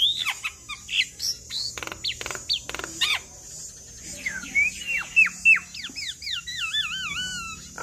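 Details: Javan myna in chatty song aimed at prompting other mynas to reply: scattered clicks and whistles, then a fast series of rising slurred whistles turning into wavering warbles.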